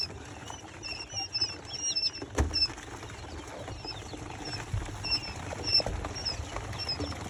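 Little bustard chicks give thin, high squeaky peeps, short and scattered, some in quick pairs, over a steady rustling background with one sharp click.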